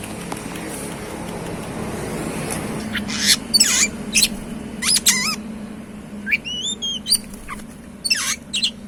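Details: Oriental magpie-robin, called kacer, described as super jinah and gacor, singing: after a quiet start, bursts of high sharp notes and a run of rising, wavering whistled phrases, over low steady background hum.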